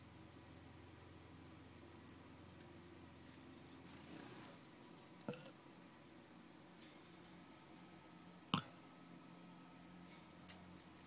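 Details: Star finch (Neochmia ruficauda) giving thin, very high chips, one every one to two seconds, over a low steady hum with a sharp click near the end.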